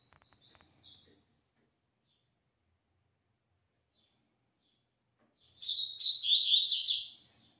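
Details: Double-collared seedeater singing the "tui tui" song type: a quiet high twittering phrase, a long pause, then a loud rapid burst of high buzzy, trilled notes lasting about two seconds.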